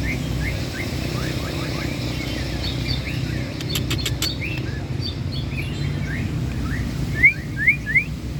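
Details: White-rumped shama delivering a rich 'isian' song: runs of short, quick rising whistled slurs, a brief burst of sharp clicks midway, then louder, clearer upward whistles near the end, over a steady low rumble of background noise.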